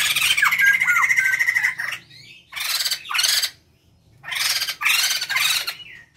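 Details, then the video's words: Male and female white-crested laughingthrush, a noisy pair used as a lure: a sustained harsh cackle at the start, then three short loud bursts of chattering separated by silences. "Riuh suara poksay jambul jantan & betina gacor"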